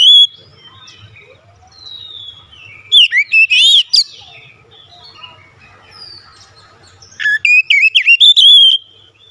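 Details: Oriental magpie-robin lure song. Soft slurred whistles are followed by a sudden burst of loud, rising and falling notes, a quiet spell, and then a rapid run of sharp whistled notes near the end.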